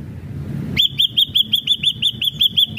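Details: Ashy drongo in full energetic song: after a short silence it launches a fast, even run of about a dozen identical arched, ringing whistled notes, roughly five per second.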